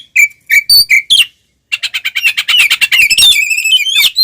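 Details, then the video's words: Fighting oriental magpie-robin, tail spread, in ngeplong style used to anger rival birds: several sharp, clipped whistles, a short pause, then a fast, rich jumble of chattering, squeaky and whistled notes that build toward the end. "SUARA BURUNG kacer gacor NGEPLONG TARUNG BUKA EKOR"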